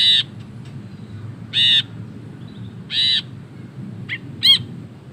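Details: Ashy bulbul giving a long ngekek chatter: harsh, nasal notes roughly every one and a half seconds, ending with two shorter, thinner notes, over steady low background noise.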